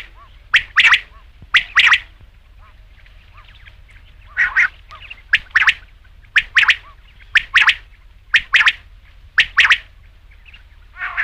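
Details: Rain quail call for night hunting: paired rasping notes, each pair a quick double beat, repeated roughly every second with slightly irregular gaps; faint chirping between pairs, otherwise quiet.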